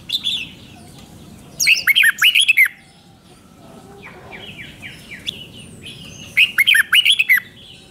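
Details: Red-whiskered Bulbul kept in Thailand delivers its doubled five-syllable song. A short whistle opens, then two lively phrases of slurred, bouncing notes about five seconds apart. Softer chirps fill the gap between them.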